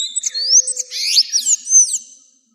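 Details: Sayaca tanager singing, a recording used to teach caged birds: thin high whistles run into a squeaky, tumbling series of slurred chirps, fading out at the end.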